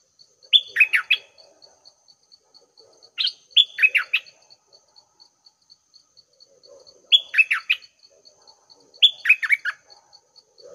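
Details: At six in the morning a decoy Red-whiskered bulbul delivers four bouncy, chirping phrases a few seconds apart, with steady faint ticking and low murmuring beneath.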